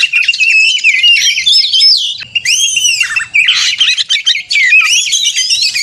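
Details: Provocative 'konslet' fighting song of an Oriental magpie-robin for simulated contests: harsh squawky phrases and rich arching whistles in energetic bursts, with a short pause after two seconds.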